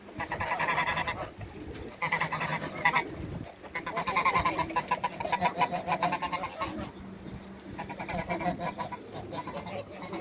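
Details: A couple of backyard Toulouse geese honk loudly in repeated rapid bursts of nasal, harsh calls, several seconds of chattering honks broken by brief pauses.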